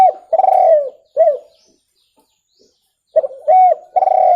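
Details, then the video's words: Spotted dove call for luring birds, clear and close: a long purring coo, a short arched coo, a silent gap, then another sequence of arched and purring low coos. "SUARA TEKUKUR JERNIH COCOK UNTUK PIKAT"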